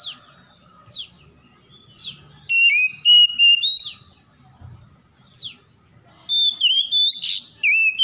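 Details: Early-morning oriental magpie-robin song meant to coax stressed kacer into full song: crisp down-slurred whistles repeated about once a second, building into loud runs of clear, varied whistled notes.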